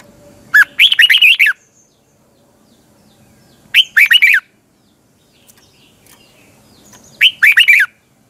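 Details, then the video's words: Three short warbling phrases of bright whistled notes, evenly spaced about three seconds apart, from a caged red-whiskered bulbul singing a twisting double-voiced morning song used to train and excite other birds. "Luyện chào mào hót sáng, hót hay - Giọng kép xoắn tít, kích chim căng, luyện chào mào hót"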